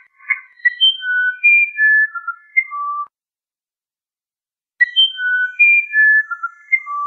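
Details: Musician wren of South American Amazon rainforest, known for an elaborate song: a descending and rising series of clear whistled tones, one phrase, a silent gap of nearly two seconds, then the same melodic phrase repeated.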